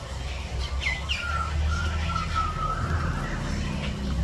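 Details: Javan bush lark in strong breeding condition, giving two sharp upswept chirps followed by a run of short slurred whistles, each dipping slightly, over a loud steady low hum.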